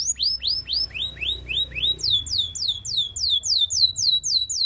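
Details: Belgian singing canary singing to seduce other canaries: a tour of loud downward-sweeping whistled notes, about four per second, then shifting into a faster, higher series of slurred descending notes. Low background hum.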